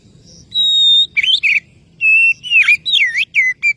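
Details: Oriental magpie-robin calling a rival: a long pure steady whistle, then a varied burst of twisting, swooping and warbled whistles with short level notes, loud and close.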